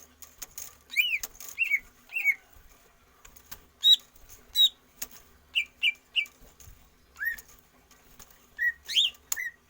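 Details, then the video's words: Caged greater green leafbird singing during stamina training: scattered whistled and sharp chirped notes, some slurred upward, irregularly spaced, with clicks and wing rustles in the background. "Solusi cucak ijo tanpa umbaran"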